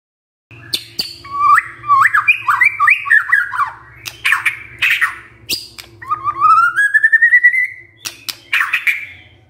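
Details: White-rumped shama lure song for stirring birds to sing their repertoire: a jumble of fast slurred warbles, sharp chips, then a long series of notes rising steadily in pitch, over a faint low hum.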